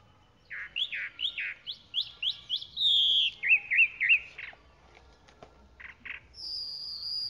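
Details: Chalk-browed mockingbird song of rapid, repeated upslurred chirps, a long buzzy note, a few more chirps, then a high thin whistle to finish.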